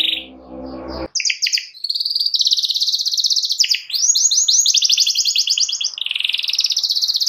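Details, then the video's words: Canary song meant to draw a rival into singing, opening after a brief low noise burst, then long rapid trills and rolling buzzy phrases, each held for about a second, clear and continuous. "KENARI GACOR MEMANCING LAWAN AGAR IKUT GACOR"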